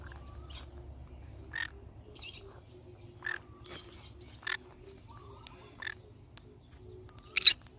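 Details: A pineapple conure, a parrot, gives a series of short scratchy squawks at uneven intervals, ending in one loud grating burst, with a soft hum and faint whistled notes behind.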